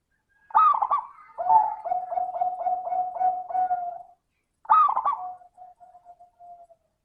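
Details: Perkutut, a local zebra dove, in crisp crystal-style lure song: an opening rolled coo, then about eight quick, evenly spaced pulsed notes on one steady pitch, another rolled coo, and a fading tail of soft beats.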